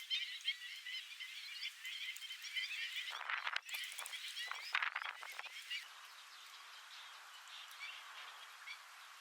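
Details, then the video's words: A large flock of black-winged stilts in flight gives dense, overlapping sharp yapping notes; loud gusts of wind or rustling break in midway, then the calling fades. "Black Winged Stilt in Flight | Large Flock of Birds Chirping"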